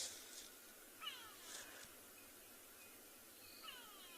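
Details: Grey go-away-bird in a riverine area of Tswalu Kalahari Reserve, South Africa, on a quiet, chilly evening of 17 October, heard from a game drive: two faint, nasal, downward-slurred wails a few seconds apart over wind and vehicle hiss.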